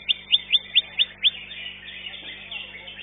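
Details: Greater green leafbird, a singing-contest bird placed second, singing six sharp, high chirps in quick succession, about four per second, then a fainter buzzy warble over low background chatter.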